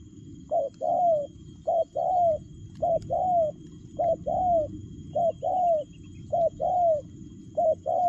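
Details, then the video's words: Rapid spotted dove cooing in the 'lèo gù' style, short and long low hoots paired and repeated regularly about once a second over a constant rumbling background noise. "Nết chơi nhanh lẹ, gù tốc độ.Clip445/ Nước chơi lèo gù"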